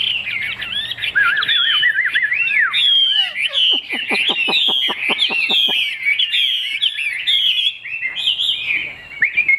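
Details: Caged, large-tailed Chinese hwamei singing loud, varied whistled phrases with wide swoops, interrupted midway by a rapid series of about a dozen sharp clicking notes, then resuming its fluent warbling.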